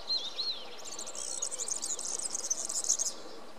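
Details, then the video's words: European serin song opening with a few wavering slurred notes, then breaking into a long, very high, scratchy jingling trill of quick repeated notes for over two seconds. "Verdecillo (Serinus serinus) cantando"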